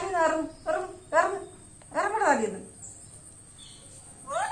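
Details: Black-capped lorikeet kept as a pet, talking with its owner indoors: short harmonic chattering phrases with rising and falling slurs, several bursts separated by pauses, a final call after a quiet gap.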